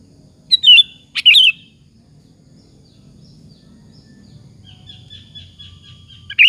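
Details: Sooty-headed bulbul singing in full voice, a lure meant to provoke rival bulbuls to reply: two quick bubbly whistled phrases close together, a faint thin trill later, and another loud note at the end, with a low background hum.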